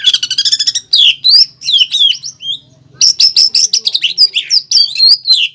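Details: Greater green leafbird, a caged bird used for contest training, singing vigorously: dense chattering notes, then loud rising and falling whistles and staccato chips repeated about three times a second, with a brief pause midway.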